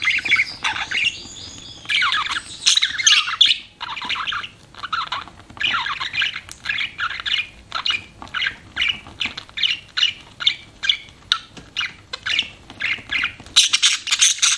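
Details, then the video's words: Budgerigars chirping in a long run of squawky, warbled chatter, later breaking into short sharp chirps repeated at a quick, uneven pace. "BUDGIES CHIRPING SOUND"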